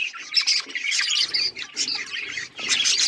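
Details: Busy budgie chirping: many small birds calling at once in scratchy, high-pitched warbles that swell and dip.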